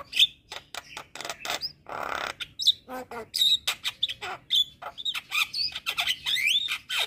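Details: Training recording of an energetic jalak kebo, the Javan myna: a dense, almost unbroken torrent of rasping buzzes, clicks and squeaks, with a long noisy hiss in the middle and clear whistles scattered throughout.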